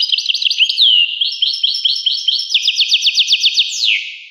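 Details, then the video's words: European goldfinch song: a fast, bright run of twittering notes, liquid trills and a downslurred whistle, then quick repeated rising slurs ending in a falling note, loud and clear with no other sounds. "song Carduelis carduelis pure and Nice-Birds The song"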